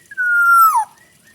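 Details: Kepodang hutan, the Black-naped oriole, in full isian song: one drawn-out, even, reedy tone holding level for over half a second before dropping into a quick downward slur, then silence.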